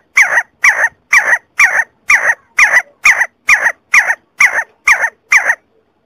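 A see-see partridge gives a steady series of harsh, grating notes, about two per second, thirteen in a row, with nothing else heard.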